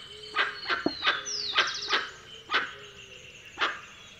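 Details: Dusky-legged guan calling with loud, rough, barking honks spaced unevenly, roughly seven in four seconds, while high sliding whistles of other birds pass in the background.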